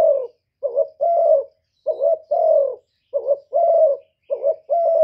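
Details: Spotted dove, thổ-style coo and crow meant to provoke rivals. Hoarse low phrases repeat about once a second, each a clipped double note leading into a long mellow coo, with quiet around them.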